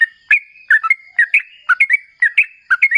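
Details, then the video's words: Sooty-headed bulbul singing lively ropel style, intended to draw answers from other bulbuls: quick, mellow gurgling notes in pairs, rising and falling, in a brisk, steady flow. "Suara TRUCUKAN GACOR Ropel Ngalas"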